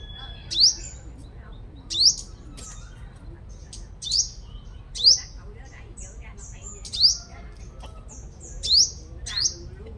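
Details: Decoy sunbird from Long Thành, Đồng Nai, Vietnam, singing strongly: seven loud, shrill, rising whistled notes, each ending in a brief tail, repeated at uneven intervals of one to two seconds, with soft high chips between them.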